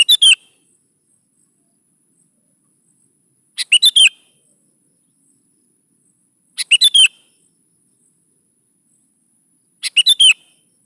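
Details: Lure song of a sooty-headed bulbul, meant to get young bulbuls to respond: four short bright phrases of chirpy, slurred whistled notes, each about three seconds apart, with silence between.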